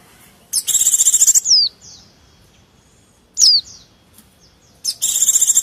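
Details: Noisy calling of white-eyes, used as a lure to attract wild white-eyes and other small birds: rapid high buzzy trills alternate with sharp, thin, downslurred notes, separated by short silent gaps.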